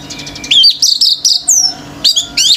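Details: Male orange-headed thrush in full song, stirring other birds to join in: a burst of sharp, high rising and falling whistled notes and quick chirps, delivered in tight clusters separated by brief pauses.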